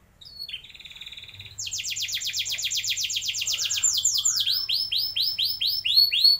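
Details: Rolling canary song meant to coax young birds into singing long rolls: a short steady whistled tone, then a long run of fast repeated down-slurred notes slowing into distinct, looping chirps.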